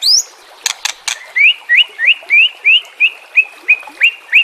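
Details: White-rumped shama song with mixed filler phrases, used as a training song for captive birds: a few high sharp notes, then a steady series of bright, rising whistled upslurs, about three each second.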